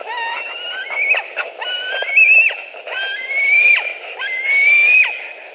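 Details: Nest of white-tailed eagles in Latvia, 26 July 2018, during a prey delivery: four or five long, rasping whistles climbing gently in pitch, every one ending with a quick falling drop.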